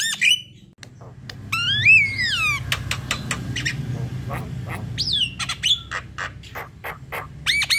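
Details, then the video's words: Javan myna song used as a lure to trigger singing: a falling whistled slur with overtones, many sharp clicks and harsh rasps, and brief whistled notes, over a low background hum. "MANGGUT² sambung NGEROL PANJANG ~ Pancingan jalak kebo"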